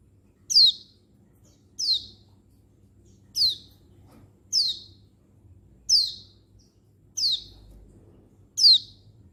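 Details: A female Oriental white-eye calls to males on 19/11/22, giving single loud, high chirps that slide sharply downward, evenly repeated roughly every one and a half seconds, with a soft low hum beneath.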